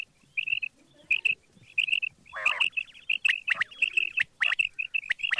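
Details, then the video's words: Morning calls of a quail, sharp high chirps given in tight runs of two to four notes, the bursts growing denser and louder toward the end, with some rougher broadband notes between them. "batair Subha ki awaz | quail sound effect"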